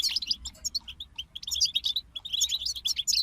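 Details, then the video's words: A group of European goldfinches singing together: dense, fast twittering of high, tinkling chirps and buzzy trills, nearly continuous with brief dips, the voices overlapping throughout. "King of Songbirds Goldfinch Group"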